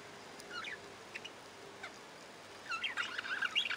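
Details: Budgerigars give scattered short chirps, then a burst of rapid, scratchy warbling chatter over a faint steady hum.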